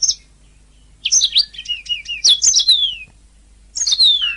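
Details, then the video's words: {'caption': 'Canary master song for training: a quiet start, then a burst of high chirps, twittering notes and long descending whistles, a short gap, and another falling whistled phrase.'} "MASTERAN DURASI PANJANG | Ocehan Suara Burung Kenari"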